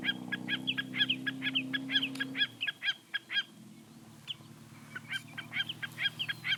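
Common snipe repeating sharp, clipped double notes about twice a second, pausing briefly before starting again; a low droning hum sits under the first few seconds.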